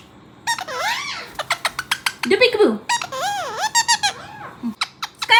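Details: Four pet parrots each say the mimicked word "peekaboo" in their own style, squeaky and sing-song with rising and falling pitch, interspersed with sharp clicks and a few short squawks.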